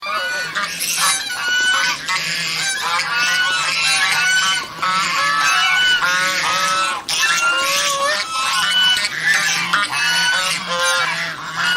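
A flock of domestic swan geese honks continuously, with loud, nasal, overlapping calls. Some rise sharply and some fall, and the chorus never pauses.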